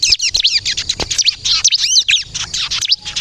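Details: Energetic song of a crystal bar-winged prinia, used as a lure to provoke answering birds: rapid high chirps and looping whistled notes run together in a busy stream, with a couple of dull clicks.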